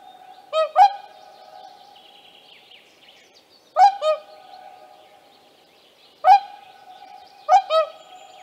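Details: Whooper swans accompanied by young, Tāši, Latvia, May 2024: paired, honking trumpet calls repeated in three bouts a few seconds apart, sometimes answered by a second bird, over faint background birdsong.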